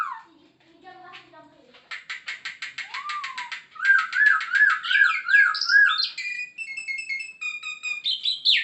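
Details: Masked laughingthrush, locally called Poksay Hongkong, in full varied song: a few soft low notes, then rapid repeated chips, rising and falling warbled whistles, and clear repeated whistled phrases. The song is described as full of filler song and meant to get other birds to answer.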